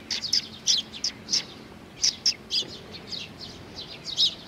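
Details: Sparrows of the tree sparrow kind arrive to be fed by Mizukami Bridge on 4 June 2020, calling with bright, clipped, high chirps in clusters about every half second, loud and close.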